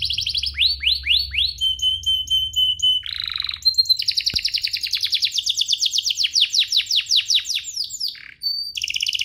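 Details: Canary song played to provoke other canaries: rising swept notes, a steady flat whistle, a harsh burst, then a long run of quick rhythmic chips rolling into trills; one sharp click mid-phrase.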